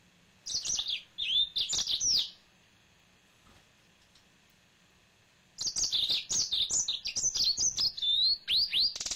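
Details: Male yellow-fronted canary, a kept pet, sings two bouts of fast, high, jumbled warbles and slurred whistles separated by about three seconds of near silence; the second bout is longer and more varied.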